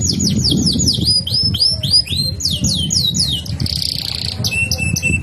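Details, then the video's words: Canary in full rolling (ngerol) song, singing vigorously and continuously: rapid series of high downward-slurred whistles, repeated several times a second, then a sustained buzzy note and a few clear, even whistles, with low background rumble. "kenari ngerol terusss gacor dor"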